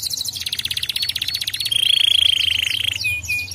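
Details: Canary singing to stimulate other canaries: a pulsed chattering trill turning into a smooth rolled trill, followed by fast sweeping notes.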